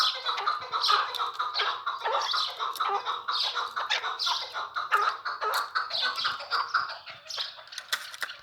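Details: Chukar partridge recently obtained as a kept bird: dense, continuous raspy chuckling calls, repeated notes layered into a busy chatter with slight rises and falls in loudness.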